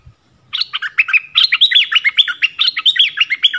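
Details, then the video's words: Decoy recording of a yellow-vented bulbul, dated 20 March 2021, used to attract wild birds: after a short quiet start, a rapid, continuous run of liquid chirps and bubbly warbled notes that carries on without a break. "เสียงต่อนกดอกแตง Ep.37 นกป่าถึงกับ งง!! Burung merbah kuning"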